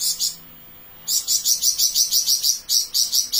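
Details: Flamboyan bird in long rapid song: a short high chatter, a second of silence, then a sustained, evenly pulsed trill of shrill buzzy notes about five per second.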